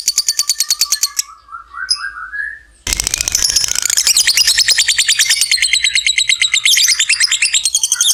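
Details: Lovebird 'ngekek panjang' long trill meant to spur other lovebirds to sing: a short high chatter and rising squeaks, then after a sudden burst of broadband noise a dense, rapid, harsh trill continues to the end.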